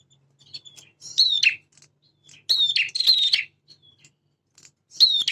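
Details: Male prinia in full active song, mixing prenjak semi and prenjak klawu styles: high, buzzy trilled phrases with sharp downslurred notes, given in bursts separated by short pauses over near silence.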